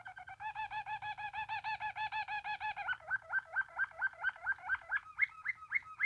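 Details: Waterslager canary, a Belgian-bred song canary noted for a deep, soft song likened to dripping, flowing water; a rapid rolling tour of rounded, bubbling notes shifts after three seconds into slower, sharper rising chips, in a quiet setting.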